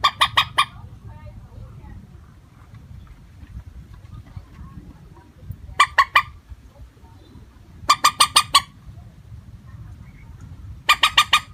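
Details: Common moorhen calling, a recording used to lure birds into nets: four bursts of four to five fast, harsh clucking notes spaced a few seconds apart, against soft low-pitched background noise.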